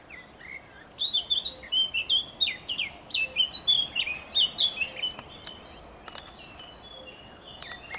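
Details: Eurasian blackcap singing on 27.05.2023, a rich four-second phrase of quick fluty warbling that fades into softer notes, with a faint low cuckoo call in the background.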